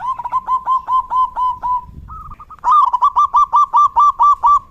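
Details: Zebra dove (perkutut, merbuk) song in the rainy season: mid-pitched staccato cooing notes repeated rapidly in a long even series, a short pause, then a louder, faster run.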